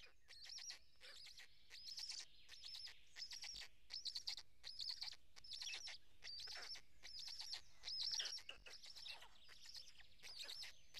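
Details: Black stork chicks at a nest in Karula National Park, Estonia, on a May morning while an adult feeds the storklets; high, rapid, repeated squeaky chirps in bursts of about one per second, shrill and overlapping.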